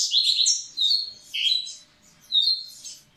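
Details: Double-collared seedeater singing to get females ready: three short, sweet phrases of bright chirps and slurred whistles, each followed by a small pause.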